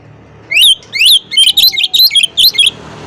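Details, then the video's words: Oriental magpie-robin in full, rapid song meant to provoke rival males and call out opponents: loud, sharply rising and falling whistled notes in quick bursts, about eight phrases packed into under three seconds over faint background hum. "KACER GACOR NGOBRA, Kacer Lain Pasti Langsung Emosi Buka Ekor Kalau Dengar Suara Ini"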